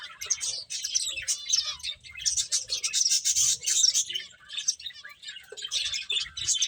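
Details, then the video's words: A flock of finches chirping as they eat, fast rippling high notes in waves, loudest through the middle seconds. "Cute Birds Chirping Sounds | Beautiful Finches Eating"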